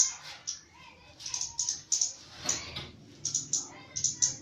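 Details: Javan myna singing actively, giving sharp high clicks and short bright notes in irregular bursts, with softer lower warbled phrases between them in a quiet indoor setting.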